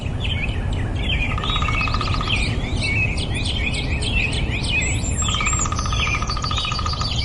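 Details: Nightingale singing varied whistled and chirping notes in a fast tangle, twice broken by a dry pulsed trill lasting about a second, against steady low-pitched background rumble.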